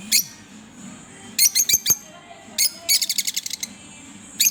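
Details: A green pair of pet Fischer's lovebirds chirping: scattered sharp, high chirps, some in quick clusters, with a rapid rattling series of chirps near the end and faint low background hum.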